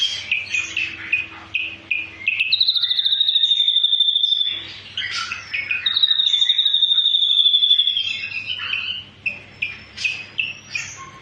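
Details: Ashy drongo delivering its full 'tembakan' song: rapid repeated chirps, long high steady whistles held for about two seconds, then more quick varied notes, with a faint low hum beneath.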